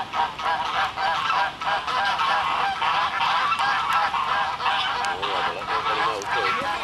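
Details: Embden geese, a flightless domestic breed, back at Dartmouth's Sullivan's Pond on the morning of March 26 after winter shelter; a flock gives dense, overlapping nasal honks in quick irregular bursts, with people talking in the background.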